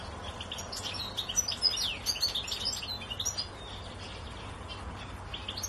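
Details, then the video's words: Goldfinch singing in a tree: a rapid, tinkling jumble of high twittering and chirping notes, busiest in the middle seconds, over a constant hiss of background noise and low hum. "Jilguero cantando en el arbol"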